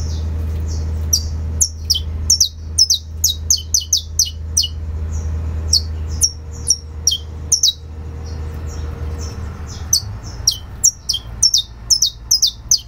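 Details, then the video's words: Saffron finch in fibra singing style, producing long runs of sharp, shrill downward-slurred notes in irregular bursts separated by short gaps, with a droning low hum throughout. "CANÁRIO DA TERRA CANTO FIBRA"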